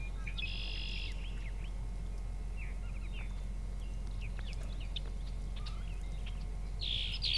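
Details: Red-winged Blackbird filmed in North America gives a buzzy, ringing trill at the start and again at the end, with quick sharp chirps between, over a steady low hum.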